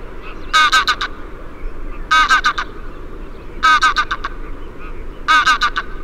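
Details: Greylag goose (Anser anser) giving loud, nasal, harsh honks in quick bursts of three or four, repeated about every one and a half seconds over a soft, steady background hiss.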